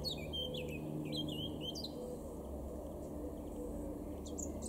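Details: Garden in Weener, East Frisia, April 2022, male blackcap: a brisk burst of chattering, warbled notes in the first two seconds, then quieter scattered notes against a constant low hum.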